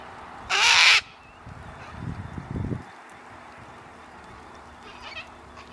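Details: In Tasmania in January/February 2020, a sulphur-crested cockatoo gives a single harsh, raucous half-second screech, followed by a low rumbling noise and a fainter call further off.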